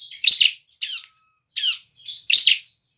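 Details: Bar-winged prinia song used as a lure to get other prinias singing: high, buzzy chattering bursts, four short phrases in three seconds with gaps of silence between.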